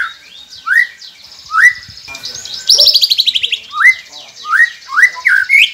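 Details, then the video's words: White-rumped shama song used to coax quiet captive birds into singing: loud rising whistled upsweeps repeated about every second, broken by a fast buzzy rattling trill. "Murai Pendiam Cepet Buka Suara dengan masteran ini | shama bird"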